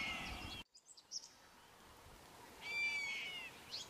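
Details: Wahlberg's eagle gives one long, clear whistle, nearly flat and slightly falling at the end, after a quiet gap. Faint chirps and a low background hum are also heard.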